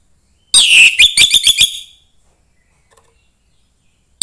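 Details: Orange-headed thrush, a young bird from the forest, gives one quick phrase of bright, rising whistled notes lasting just over a second before falling silent. The song is meant to stir other thrushes.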